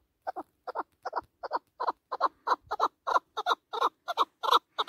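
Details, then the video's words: Mountain chukar partridge, a hunting bird in full voice: an unbroken series of doubled harsh chuk-chuk clucks, about three pairs per second, growing louder toward the end. "Кабки Шикори Хониши Кабки Маст дар Куҳ Keklik sesi Kabk Partridge Chukar که و"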